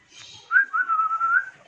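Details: A pet talking hill myna, prompted by its owner to whistle, gives a clear, human-like whistle in a quiet room: a short rising note, then a long wavering tone lasting about a second.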